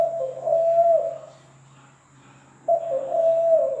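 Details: Two low cooing phrases from a zebra dove, separated by nearly two seconds of quiet, each a held hollow tone with a soft drop at the end.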